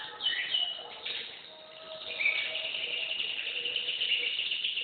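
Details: Canary singing a sustained high warbling song with rolling trills and long held notes, steady and continuous after a brief dip.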